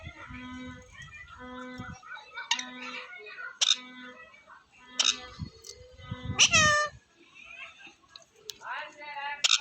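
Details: Rescued pet parrot talking near a mango tree, giving a run of harmonic, speech-like phrases, a loud squawk about two-thirds through, and whiny rising notes, with a steady low humming tone in the background at the start.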